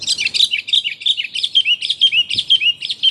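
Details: Female sooty-headed bulbul calling to the male, a recording used to lure birds: a busy run of bright, chirpy, slurred notes repeated about twice a second without pause.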